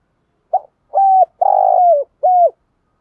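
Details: Spotted dove decoy cooing to train newly caught doves gives one clear phrase: a short note, a level coo, a long buzzy coo sliding down, and a final falling coo.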